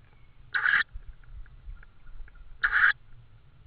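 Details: Tawny owl at the nest with prey, Estonia, evening of 6 May 2013: two brief rasping, hoarse screeches two seconds apart, over a quiet low rumble.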